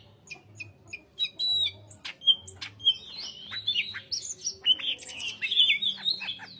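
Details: Greater green leafbird singing vigorously with tightly spaced phrases: a rapid, varied run of squeaky chirps, sharp clicks and bright slurred whistles, growing denser toward the end, over a faint low hum.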